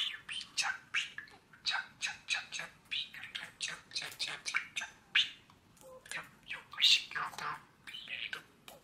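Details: A five-year-old male pet budgerigar, recorded on Mother's Day, 10 May 2020, sings and dances, warbling a fast, chattering run of scratchy chirps and squeaks.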